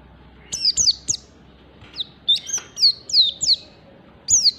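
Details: Standard 'ngalas' oriental white-eye singing to draw other white-eyes into song, with rapid clear downslurred whistles, some with short upticks, delivered in tight clusters with brief pauses between them.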